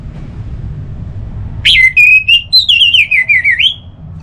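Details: Orange-headed thrush singing, used to coax other thrushes into song: after a quiet low hum, one clear phrase with a long rising whistle, then a rapid series of wavering, slurred notes lasting about two seconds.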